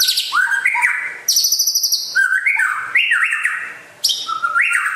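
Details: Rare West Aceh white-rumped shama sings loud, energetic phrases of high buzzy notes alternating with bouncy, upslurred whistles, delivered almost continuously with barely any gap.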